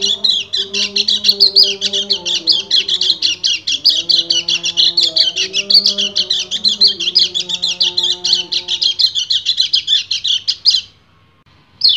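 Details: Calling a female in breeding condition, a male white-eye pours out a rapid, chattering song for about eleven seconds, then stops abruptly; soft low tones run beneath the first part.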